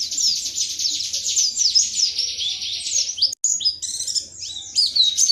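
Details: White-eye (pleci) from Indonesia singing a 'tembakan materi' style song, a fast high twittering stream of sweeping whistled notes and trills, with a brief break near the middle and no other clear sounds.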